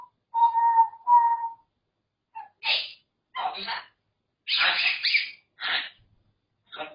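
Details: Pet grey parrot gives two clear, level whistled notes, then a string of harsh, rasping squawks and noisy bursts separated by short silences.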